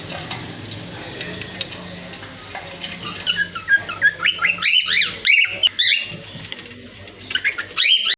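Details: Cockatiels in a breeding aviary giving rapid chirping, whistled calls in clusters through the second half, over a background of steady hiss and low hum.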